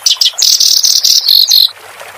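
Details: Master song of a clamorous reed warbler for cage-bird training: a couple of sharp chips lead into a dense, sustained buzzy chatter lasting over a second, ending abruptly in near quiet.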